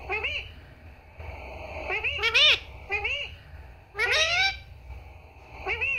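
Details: Repeated arched, harmonic word-like syllables from a parrot copying "Mummy" and "Papa", spoken in short bursts with quiet gaps, the loudest clusters near the middle and end.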